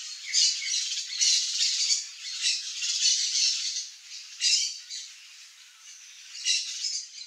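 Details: Blue-and-yellow Macaw in the Brazilian Cerrado, feeding on a ripe mango, gives harsh, grating squawks in rough bursts every second or two, some drawn out into raspy, rattling runs.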